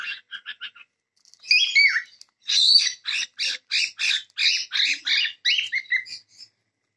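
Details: Cockatiels (Nymphicus hollandicus) give a run of harsh, scratchy squawks and chirps, repeated in quick bursts.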